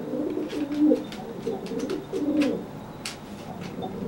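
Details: Pigeon cooing at a wet companion that just bathed and cannot fly, two deep, throaty coo phrases close together, with light taps and clicks around them.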